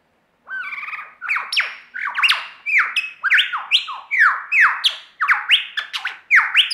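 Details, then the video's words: Australian lyrebird in a mimicry performance: a rapid chain of loud, pure whistles that each jump up then slide down, repeated more than a dozen times in a ringing, almost musical sequence. "Lyrebird performance"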